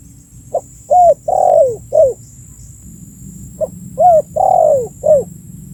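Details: Calling spotted dove, a recording meant as a lure for attracting birds. Two matching phrases about three seconds apart, each a quiet opening note, a rising-falling hoot, a drawn-out descending coo and a short dropping note.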